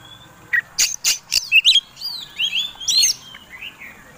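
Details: Caged fighting Oriental magpie-robin (kacer tarung) singing a provoking song: a few sharp broadband chips, then a run of varied whistled, slurred notes sweeping up and down, with scratchy bursts, over quiet background.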